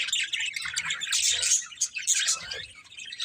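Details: Budgies chirping: a dense, scratchy chatter of quick high tweets and squeaky warbles running almost without pause, loudest in the middle, with faint low thumps beneath.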